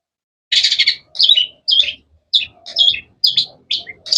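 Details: Cendet song made of repeated short bursts of sharp, scratchy high chirps, each about half a second long, coming in a steady rhythm.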